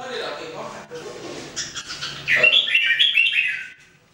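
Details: Red-whiskered bulbul, one of three kept in 2018 singing training (jambul), gives a loud rapid run of clear whistled notes after some murmuring, then falls silent.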